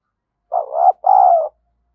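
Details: Decoy spotted dove cooing to attract wild doves. One loud, mellow two-part phrase: a wavering coo that swells upward, a short break, then a longer, steady coo that fades slightly at its end.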